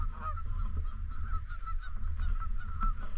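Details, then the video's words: At a lake in a park, Canada geese give clear nasal honks, one sharp louder honk near the end standing out from a background of overlapping calls and low rumble. "Canadian Geese Honking In And Around The Lake"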